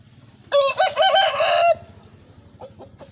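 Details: Loud crow of an Aseel rooster in Pakistan, a hoarse wavering call of about one second, then quiet clucks over a steady low hum.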